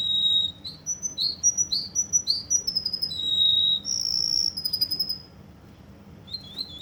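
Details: Russian canary in Kuwait singing a brisk series of high upslurred notes repeated rapidly. These flow into a rolling trill and a long bright sustained whistle, followed by a pause and a faint closing phrase.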